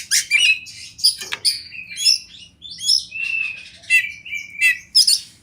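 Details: Champion Oriental magpie-robin (kacer) in the wild, a masteran training song set against river and forest ambience: varied whistled and buzzy phrases, bright sweeping notes and short rattles in quick irregular bursts, over a faint low hum.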